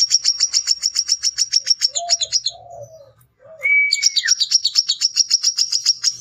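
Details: Male brown-throated sunbird (kolibri kelapa) in lively song, used as a lure while challenging rivals to fight: dense runs of very high, rapid ticking notes repeated several times a second, broken midway by a pause, soft lower chirps and a clear descending whistle.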